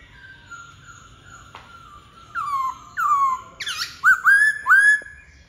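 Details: Black-throated laughingthrush: a soft steady tone at first, then increasingly loud, rich whistled upslurs and a harsh burst, ending in three strong ringing notes.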